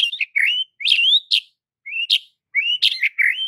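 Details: White-rumped shama (murai batu) training song: loud whistled phrases, rising and sliding notes, with short bursts separated by brief pauses, clean and without other sounds.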